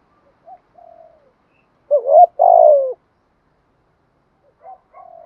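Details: Decoy spotted dove cooing to draw in wild doves. Soft distant-sounding notes, then one loud phrase of a wavering rising note and a long descending coo. Quieter coos follow near the end.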